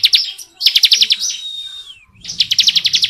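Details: Ciblek, the bar-winged prinia, in long ngebren song: fast strings of bright high notes, a sustained thin whistle sliding downward in the middle, then another quick run of chips.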